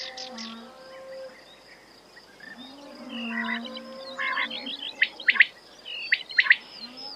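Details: ['Quail calling, sharp broadband notes in quick clusters of two or three, growing louder toward the end, after a quieter start with low steady tones and scattered chirps.']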